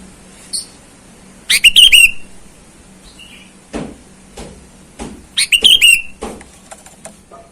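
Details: Sooty-headed bulbul in the wild, calling to challenge rivals and used as a lure for wild birds: two loud bursts of quick chirps sliding into a downward whistle, with soft taps and a low background hum.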